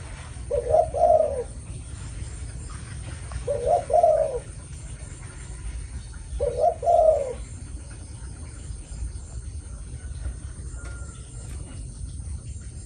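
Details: Two female Malaysian zebra doves, considered suitable for breeding, giving their cooing calls: soft, bubbling coos in short bursts, repeated about every three seconds.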